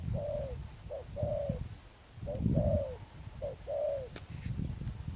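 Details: Spotted dove, a wild-caught bird, gives soft, low cooing notes in short phrases of two or three, each a brief hooted note then a longer mellow coo, over low rumbling background.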